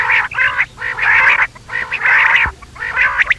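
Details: Quail at night giving rough, rasping churring bursts in a fairly steady run, closely spaced, with a low background hum throughout.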